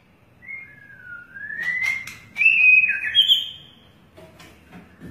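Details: White-rumped shama with a long tail, singing a smooth whistled phrase that dips then rises to a loud, warbled higher passage before fading, with a few soft clicks.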